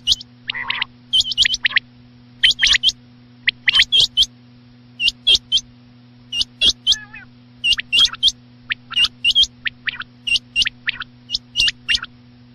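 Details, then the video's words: Loud night-time quail calling: crisp high whistled notes in clusters of two to four, repeated about every second, plus a few lower nasal notes, with a steady low hum. "batair chinag ki max awaz raat ke laiy"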